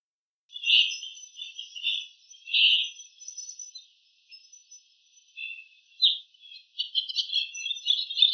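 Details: Bull-headed shrike mimicking other bird species, every note from the same wild bird: scattered high chirps and short warbled phrases separated by pauses, growing into a denser jumble of squeaky notes toward the end.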